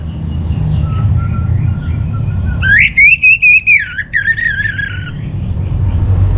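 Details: Orange-headed thrush lure song for cage birds. A loud wavering whistled phrase rises, then breaks into repeated notes and a falling trill, over faint background whistles.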